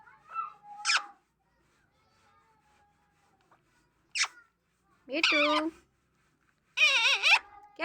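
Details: Talking parrot producing speech-like sounds: a short wavering phrase, then a sharp squeak, followed by two longer rich, warbling, voice-like utterances, all separated by silences.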